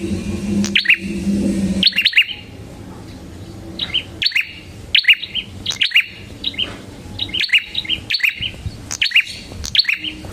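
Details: Vigorously singing red-headed prinia, used to lure prinias and to tutor songbirds. Bright, snappy chirp bursts arrive in quick, uneven series after a low muffled hum at the start.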